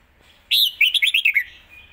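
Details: Red-whiskered bulbul, a caged songbird, in a fast rapid-fire competition song phrase: a loud rising whistle followed by a quick run of six slurred, warbling notes, ending in a drop, over a quiet background.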